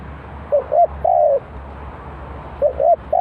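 A spotted dove coos in low, hollow notes: two short coos and a longer drawn-out one. The phrase repeats about two seconds later against a quiet background.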